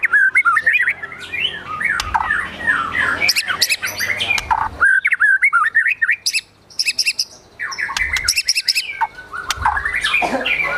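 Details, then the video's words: White-rumped shama singing agitatedly, its song filled with besetan ripping notes and imitated sogon and kunti calls: varied whistled slurs, rapid chattering runs and sharp clicking bursts, loud and nearly continuous with brief pauses. "Murai Batu Gacor Emosi Isian Besetan Tembakan Sogon, Kunti Dll."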